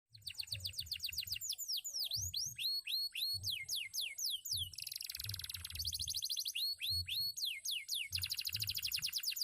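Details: Canary, a former field bird, singing with a fine voice: loud downward-sweeping whistles repeated about four per second, then a fast buzzy trill and more sweeping notes, over soft low thumping in the background.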